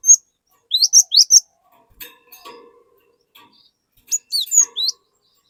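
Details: Glatik batu, the cinereous tit, singing to lure untrained birds: sharp high whistled slurs in quick clusters at the start and end, separated by a quiet stretch of faint lower chatter.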